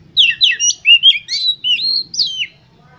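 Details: Oriental magpie-robin kept for singing competitions, its song used to stir other birds on the hanging perch. A brisk phrase of about nine clear whistled notes, mixing rising and falling slurs, ends after two and a half seconds.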